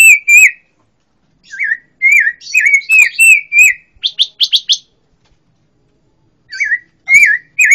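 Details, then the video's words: Robin (pancawarna), a songbird kept as a song tutor for other cage birds, sings short, clear warbled phrases that rise and fall in quick bursts with brief pauses, with no background sound. "KICAU BURUNG PANCAWARNA || ROBIN BIRD VOICE"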